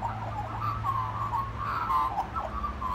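A magpie sings a continuous, wavering, fluty warble in the mid range, with notes gliding up and down over a steady low hum.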